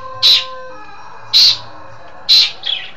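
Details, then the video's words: Long-tailed shrike from East Java giving three loud harsh notes about a second apart, the last followed by a short softer warble, with a steady faint tone behind. "Burung Pentet Jawa Timur Cerdas Gacor"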